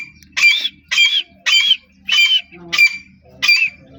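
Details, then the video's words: Dakni teetar, the grey francolin, calling in a teetar-training setting: six loud, harsh, ringing notes, each about a quarter second long, repeated roughly every half second at a steady pace. Faint low murmuring sits in the background. "Dakni Teetar Ki Awaz Nikalne Ka Treqa|Dakni Teetar awaz video"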